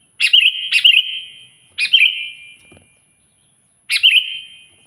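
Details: Sooty-headed bulbul (kutilang) singing to call a rival: two quick whistled phrases close together, then two more spaced out, each a bright bubbly burst with a fading tail.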